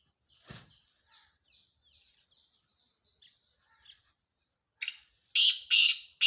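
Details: Male black francolin calling: faint high twittering and thin chirps give way to three loud, harsh, rasping bursts about half a second apart at the end of the recording.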